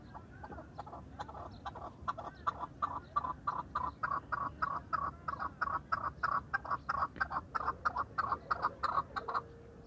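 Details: Farmed chukar partridge giving a fast, steady run of harsh clucking chuck notes, about three per second for nearly ten seconds, each note loud and abrupt, ending with a faint held tone.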